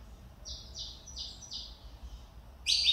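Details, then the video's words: Saffron finch (canário mineirinho) coming out of moult: four evenly spaced falling chirps, about one every quarter second, ending with a louder high burst. "Canário Mineirinho filho do Mineiro vice campeão Cobrap e de mãe CMA voltando a cantar"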